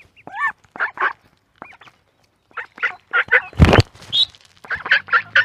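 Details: Duckling calling in quick runs of short, nasal, quack-like notes, a few curved and rising, with a brief pause mid-way and one loud broadband thump among the calls.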